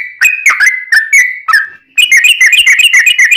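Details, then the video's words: Yellow-vented bulbul delivering a long-rolling fighting song to draw replies from other bulbuls: a few sliding whistled notes, a brief pause, then a fast bubbling rattle of rapid notes. "trucukan gacor tarung ROPEL PANJANG buat pancingan trucukan agar bunyi JADIKAN trucuk gacor NYAUT"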